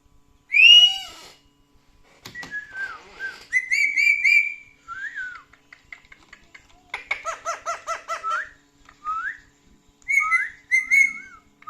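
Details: Talkative pet male parrot indoors, reacting to clips of himself and laughing: a loud harsh squawk opens, then varied whistled slurs, a rapid chattering series of clipped notes, and short rising and falling whistles.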